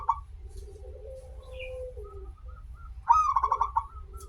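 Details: Local zebra dove, a prolific singer with a long opening phrase, played as a lure to make other doves sing: a long low gliding coo, then a loud rapid burst of rolling pulsed coos, over a steady low hum.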